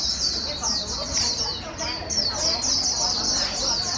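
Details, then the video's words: White-eye giving rapid líu song to stimulate a newly caught bird: quick, high, repeated trill bursts about four per second, over a soft background murmur. "Kích chim vành khuyên bổi mau líu"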